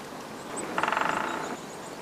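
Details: Grey-headed woodpecker near Shebekino, Belgorod region, Russia, visiting lard in a pine forest during the display period. One quick burst of roughly thirteen buzzy, nasal pulses runs for about three quarters of a second over quiet woodland ambience.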